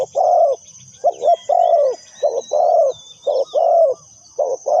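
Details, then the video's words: Spotted dove serving as a lure bird for trapping, calling rapid, rolling coos in short-long pairs, closely spaced; whistled notes of other small birds and a steady high whine behind. "Suara Terkukur Pikat Tua"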